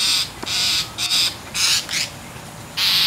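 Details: An angry mockingbird keeps harassing a cat that wants to clean her wet tail. It gives a dense string of loud, harsh, grating calls, about five bursts in three seconds.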